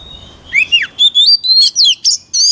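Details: White-rumped shama song for voice training: a falling whistled phrase followed by a quick string of clear, ringing high notes, rising and wavering, each short and separated by tiny pauses.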